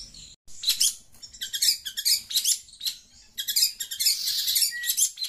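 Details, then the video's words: Noisy long-tailed shrike answering sound from a phone, giving dense bursts of harsh, buzzy, scratchy chatter in fast runs separated by brief pauses. "Burung pentet cerewet dengar suara hp"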